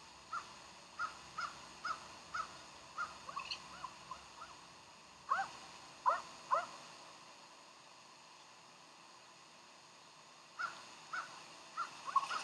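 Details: Bald eagles at Decorah, morning of 15 January 2012: a run of quick, high, piping chirps, then several louder sharp squealing notes, a quiet pause, and another burst of rapid chirps, over light background hiss.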